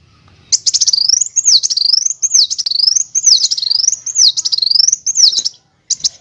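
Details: Brown-throated sunbird (kolibri wulung) training song for teaching other songbirds, in nyrecek, nembak and ngerol styles: loud, very high, rapid trilled phrases sweeping up and down in wavy loops, repeated almost continuously, with one short pause near the end.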